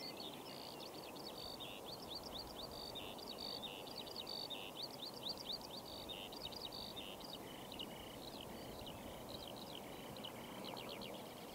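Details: A common snipe at a flooded pond gives a steady run of sharp, high chipping notes, repeated several times a second, over a constant hiss of wind or water.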